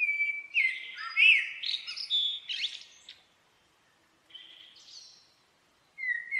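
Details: Singing common blackbird: rich warbled whistles tumbling up and down, ending in scratchy high twitters, a pause, a soft high squeaky phrase, and a new fluty note starting.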